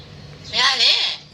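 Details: A myna in Malaysia that mimics Tamil speech says a brief, bright, voice-like word of under a second with wavering, harmonic tones, over a faint background hum.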